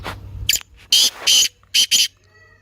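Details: Lively calling of a black francolin (kaala teetar): a brief lead-in note, then two long harsh rasping bursts and a quicker closing pair, each burst coarse and grating.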